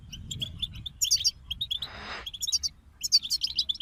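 European goldfinches sing a rapid, tinkling twitter of short, high, liquid notes, several birds overlapping, with a brief rustling hiss midway.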